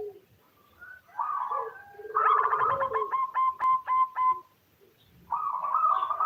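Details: Local female zebra dove calling a male, used as a lure for male song: rolling coos build into a fast series of stuttering pulsed notes, then fall silent before another rolling coo begins.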